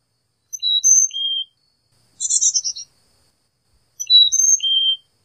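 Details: Carolina chickadee giving clear whistled notes in alternating high and low pairs, interrupted by one burst of buzzy, rapid call notes, then the whistled phrase again. Quiet background.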